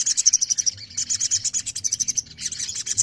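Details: Rapid, high sogon twittering, a run of evenly pulsed sharp chirps with a short pause before another quick burst of bright notes.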